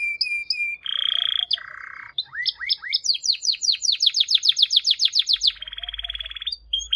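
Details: Canary song: a level whistled note, then two harsh buzzy phrases, then a long series of rapid descending sweeps, closing with a dense buzzy trill and a short whistle.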